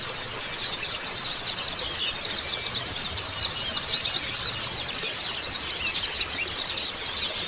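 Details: High, sibilant white-eye song aimed at stimulating a bird after moult: a dense chatter of quick chirps continues throughout, with occasional louder sharp whistles standing above the stream.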